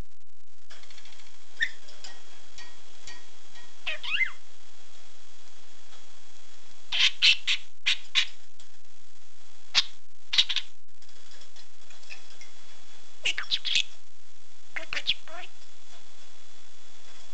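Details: A male pet budgerigar talking: quick, scratchy bursts of imitated speech mixed with sharp chirps.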